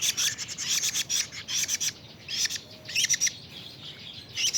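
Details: Young plaintive cuckoo, 41 days old, rasping out quick series of high, harsh notes in clusters, separated by short silences.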